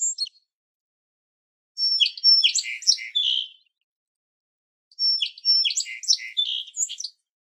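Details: Two complex songs from a song sparrow, each a jumble of sharp high whistles, buzzy slurs and lower trilled notes lasting nearly two seconds, separated by silence.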